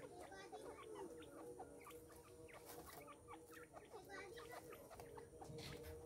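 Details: Female grey francolin, or teetar, calling: rapid, soft, short chirps and clucking notes scattered through the whole stretch with no clear rhythm, over a steady low hum and background noise.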